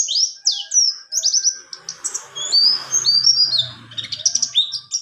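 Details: Buxtoni white-eye giving its rolling 'ngalas ngerol' tutor song: fast high whistled slurs and twitters running together, with a low steady hum and soft background noise in the middle.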